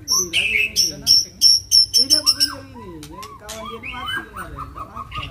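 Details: White-rumped shama in a fight, provoked into agitated singing: a burst of rapid high, sharp chips repeated several times a second, then looping whistled phrases that slide up and down through mid pitches.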